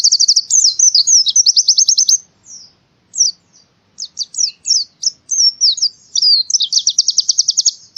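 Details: White-eye singing forest-style, Central Java, Indonesia. High chattering twitters and a quick trill, scattered sharp chirps after a gap, then another rapid trill of repeated notes.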